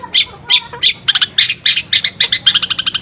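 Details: Cendet (long-tailed shrike) singing mimicked fills in a tutor recording: a few spaced sharp chirps that speed into quick clustered notes, then a rapid run of short tweets at the end.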